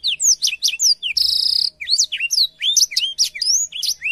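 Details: A short burst of blackthroat song for training canaries: quick looping whistles, then a loud buzzy trill, followed by more swooping, rising and falling notes.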